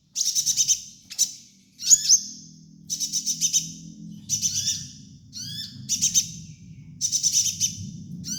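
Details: Sunbird (kolibri ninja) song used as a training master: bursts of high, sharp twittering chirps with rapid trills and downward-swept harmonic notes, repeated at irregular intervals over a faint low hum.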